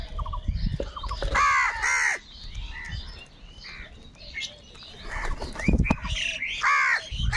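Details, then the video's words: Crows squabbling over food, angry and loud: rasping caws cluster at the start and again near the end, with small high chirps from other birds and quieter background noise in between. "Different kauwa ki awaz - Angry kauwa ki awaaz | কাকের ডাক Crow Sound Crow ki Awaz Loudly"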